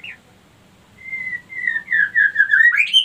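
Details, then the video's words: Female white-rumped shama lure song for getting other females ready to breed; a long level whistle followed by a series of sliding whistled notes climbing higher toward the end. "pancingan murai batu betina kurang birahi auto naik birahi ngleper minta kawin"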